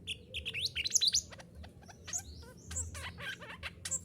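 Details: Mantenan gunung singing, recorded to train caged birds to sing: quick, varied high chirps and upslurred whistles, jumbled and irregular, over a soft low rumble.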